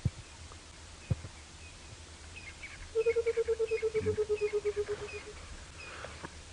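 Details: On a cool winter sunrise drive on June 22, 2017, in Djuma game reserve, Sabi Sand, South Africa, a Burchell's coucal gives a low, bubbling run of about twenty hollow hoots slowly sinking in pitch, a call said to foretell rain; faint bird chirps and knocks are also heard.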